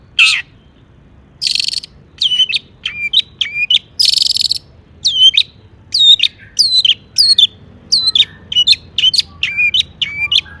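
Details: Long-tailed shrike song packed with mimicked phrases, used to trigger other shrikes to sing: hissy noise bursts alternating with quick rising-then-falling whistled notes, repeated rapidly in lively runs.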